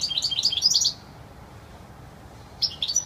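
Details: Wild European goldfinch singing clearly: a quick jumble of high, tinkling twitters and chirps for about a second, then a pause before a fresh burst of bright notes begins.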